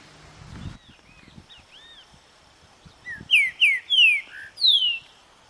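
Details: Green-winged saltator in Vargem Bonita, Minas Gerais, Brazil: after a knock and soft arched chirps from other birds, it delivers a bright phrase of four loud, clear, descending whistles, the final one drawn out.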